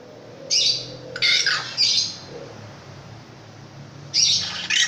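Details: A long-tailed shrike gives short, loud, grating squawks in a quick group of three. A pause of about two seconds follows, then two more harsh notes.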